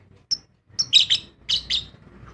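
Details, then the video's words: Lovebird from an aviary colony giving a handful of shrill, squeaky high chirps in two short clusters, with a faint low hum underneath. "Love Bird Singing"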